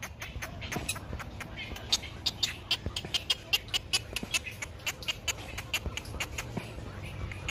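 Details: Great egret chick in sunshine, begging for food from its mother with a long series of dry ticks and clicks that grow louder and more insistent midway through the sequence.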